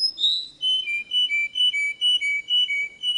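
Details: Canary song: a high whistled note slides down, then pure whistled notes alternate between two pitches, roughly two per second, clear and regular.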